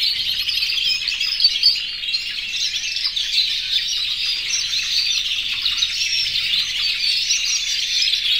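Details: Canaries, more than a hundred, yellow, red and white, in an aviary and singing in breeding condition to attract the female; a thick wall of twittering, rolling trills and squeaky notes that never pauses.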